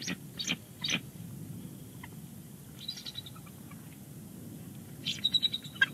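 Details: Nesting bald eagle at Big Bear Lake, January 25, 2020, vocalizing as its mate returns to take over the eggs: short bursts of high, thin chattering notes at the start and end over a steady low rumble.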